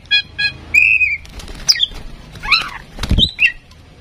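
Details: Tame female oriental magpie-robin used to prompt other birds into song: a couple of quick harsh chattering notes, a clear whistled phrase, then scattered slurred whistles mixed with a burst of wing flapping and low thumps.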